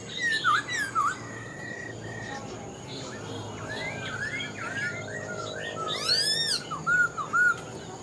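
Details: An old wild-caught Black-throated laughingthrush kept caged and praised for its fine voice: dipping whistled notes and a held flat whistle, then softer slurred phrases, a sweeping high flourish and loud looping whistles at the close.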